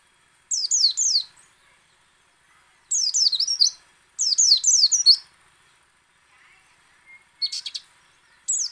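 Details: Repeated short bursts of rapid, high, shrill twittering from a white-eye, four phrases separated by clean silences of one to two seconds, meant to make other white-eyes sing.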